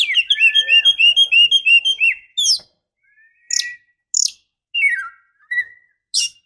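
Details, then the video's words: White-rumped shama female used to stir the male into song: a fast run of about fourteen repeated looping whistled notes, followed by scattered sharp high chips, a falling slurred whistle and short buzzy calls. "Pancingan kacer betina"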